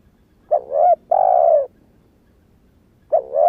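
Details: Young spotted dove, newly calling and still in unmoulted wild plumage, kept to lure wild doves. A quick double coo that rises at the end, a long level coo, a pause of about a second and a half, then the double coo again.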